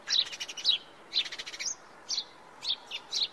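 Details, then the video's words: House sparrow singing: bright, high chirps in short bursts, several notes at a time, repeated about twice a second with brief pauses between phrases. "Som de pardal Cantando, Pardal cantando."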